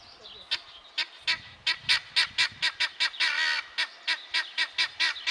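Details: Male guineafowl giving harsh, grating calls repeated roughly three times a second in a steady run, with a longer drawn-out rasp in the middle and faint low rumbling at the start.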